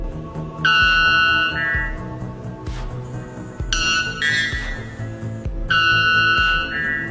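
Loud, ringing metallic notes from a White Bellbird, each about a second long and stepping up in pitch, repeated three times over a steady music backing.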